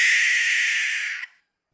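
A Barn Owl gives a single drawn-out, harsh, hissing scream lasting just over a second, then cuts off into silence.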